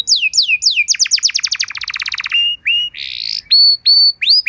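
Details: Training song of a canary meant for teaching young birds: falling whistles, a rapid rattling trill of downward strokes, a short buzz, then clear level whistled notes.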